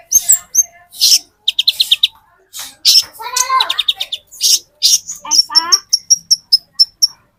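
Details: Olive-backed sunbird of the metallic type, used as a lure for green-type birds, sings quick bursts of high tinkling repeated notes and sharp chips. A lower buzzy warbling trill breaks in twice, then an evenly spaced series of piercing high notes follows.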